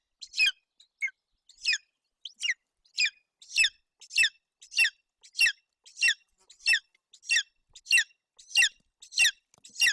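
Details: Golden eagle eaglet with an empty crop at its nest in Bucovina, Romania, June 8, 2021, begging as its mother feeds it: long run of thin, high, falling squeaks, starting sparse, then steady and rapid.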